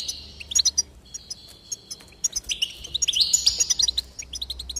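A goldfinch sings a rapid, tinkling run of high twitters, buzzy trills and liquid notes, with brief pauses between bursts.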